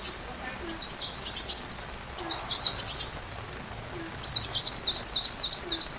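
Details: Sunbird song recorded for training a white-rumped shama: high, thin, rapid chirps and descending sweeps in quick bursts, with a short gap near the middle.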